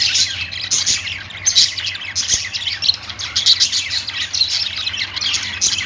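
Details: Several budgies keep up a busy warbling chatter of rapid twittering chirps and squeaks that swell and fade every second or so, over a soft constant low hum.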